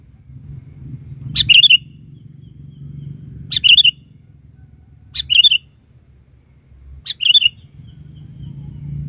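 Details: Sooty-headed bulbul giving four short, bright, bubbling chirp phrases about two seconds apart, with a soft low rumble behind.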